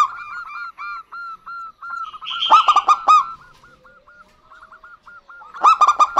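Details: Zebra dove pair, local birds, female and male calling back and forth: an even run of short curved notes, then a loud rapid stuttering burst mixed with a brief buzzy sound, repeated near the end.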